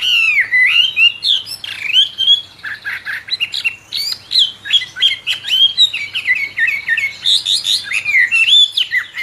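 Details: Albino Chinese hwamei, captive-bred and originally from China, sings a loud varied stream of whistled phrases, rising and falling notes and slurred trills that run almost without pause.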